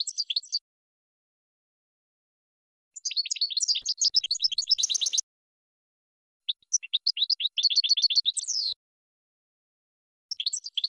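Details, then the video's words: European goldfinch song in bursts: rapid twittering runs of tinkling notes, one ending in a harsh buzzy rattle, separated by silent gaps of one to two seconds. "Top 10 GOLDFINCH Songs"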